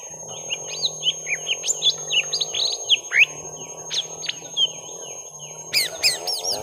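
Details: Lesser green leafbirds, young, in a long fight: a hurried string of whistled upslurs and chirps, ending in loud sharp high calls, against a constant droning mechanical hum.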